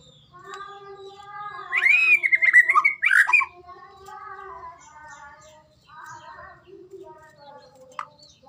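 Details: White-rumped shama, Medan type, in song-training audio: a short loud flourish of rich whistles and rattling notes, then quieter tonal phrases and one sharp note near the end.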